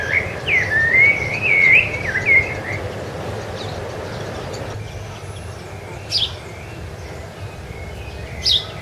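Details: Rufous-bellied thrush on Ilha do Governador, Brazil, in January 2013, giving about three seconds of fluty, slurred whistled phrases, followed by quieter background and two sharp, high chirps from another bird.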